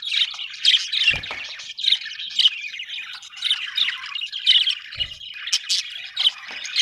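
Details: Happy budgies chirp and squawk in a busy, overlapping chatter with repeated louder bursts about every second, plus two low thumps.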